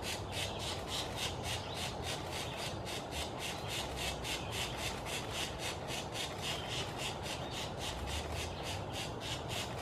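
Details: Pileated Woodpecker at its nest, close up: harsh, raspy squawking notes, about four per second, steady through the whole clip over a low background rumble.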